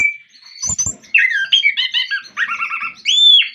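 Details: Orange-headed thrush singing, meant to spur other orange-headed thrushes to sing: a short burst of bright high whistles and warbled notes, then a rapid stuttering trill and a final clear upslurred whistle.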